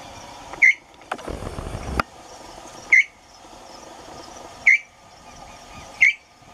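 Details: Tataupa Tinamou giving short, sharp whistled notes spaced about two seconds apart, the slow opening of its song, with a brief rustling noise between the first notes.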